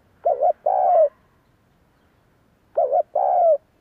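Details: A Spotted Dove coos to make other doves coo in reply: a short wavering double note, then a longer falling coo, with the same two-part phrase returning after about two seconds of quiet.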